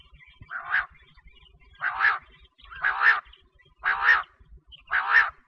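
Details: Quail call used for wheat-season hunting: a harsh, raspy note repeated about once a second, five notes in a row, against a low background rumble.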